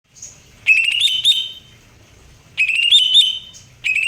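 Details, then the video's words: Greater green leafbird giving loud, clear whistled phrases, each about a second long with rising and wavering notes, repeated after pauses of over a second in a quiet setting. "cucak hijau"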